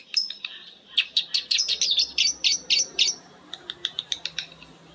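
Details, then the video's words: Ngekek chatter of several lovebirds answering each other: clustered harsh high chirps in quick bursts, followed by a lighter run of separate sharp clicks. "Suara Lovebird ngekek panjang❗Suara bikin Lovebird Betmen vs vio vs paskun saling bersautan."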